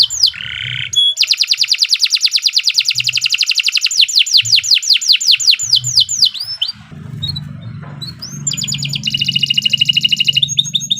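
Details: Canary singing in the long, vigorous Indonesian 'gacor panjang' style, recorded as a tutor song. Rapid series of high, downward-slurred whistles alternate with dense buzzy trills and rolling tours, over a faint low hum.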